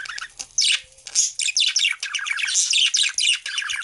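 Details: Chorus of Australian parrots: overlapping shrill chirps and harsh squawks pour out continuously after a brief quieter start, many birds calling at once.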